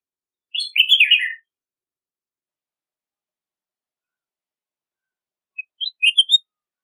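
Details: Red-whiskered bulbul delivering a warbled, slurred phrase, then a long silence before a softer, rising series of short whistled notes; otherwise quiet.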